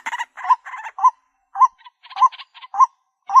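White-breasted Waterhen giving harsh, nasal kwak notes in quick uneven bursts, about two a second, with short pauses between runs.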